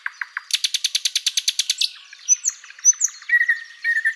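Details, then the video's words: Thrush nightingale in spring forest song at sunrise, opening with a rapid, evenly spaced series of about fifteen loud clicking notes, then thin high whistles and softer scratchy twitters. "Nightingale chirping and singing"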